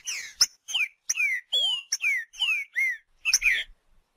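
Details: In nature, a green-winged saltator delivers clean, separate whistled notes that rise then fall, about three per second, with one deep dipping sweep and a closing burst of chirps.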